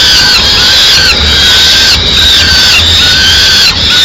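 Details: Peregrine falcon chicks in Madrid begging loudly as the female brings a small bird at mid-morning; continuous shrill, harsh high-pitched squealing with long drawn wails, loud and nearly unbroken, light low rumble beneath.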